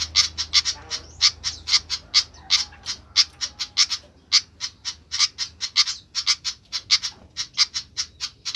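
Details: Noisy sikatan flycatcher delivering a dense, uneven barrage of short, sharp clicking chips, often in quick pairs or triplets.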